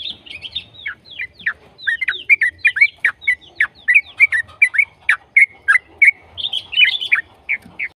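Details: Yellow-vented bulbul in a long ropel-style song, used to prompt other bulbuls to sing: a dense, bubbly, nonstop chatter of quick whistled notes, rising and falling slurs delivered about three per second, varied and rich.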